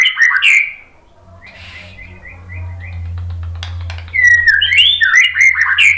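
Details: White-rumped shama song played to stir another bird into singing: rich whistled notes open, a quiet stretch of short chips over low hum follows, then loud varied whistled phrases return near the end.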